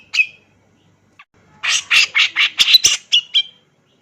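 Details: Energetic male Grey-cheeked Bulbul singing in the aggressive 'ngegass' manner: a lone sharp note, then a dense burst of harsh, buzzy, squawking syllables ending in two short whistled chips.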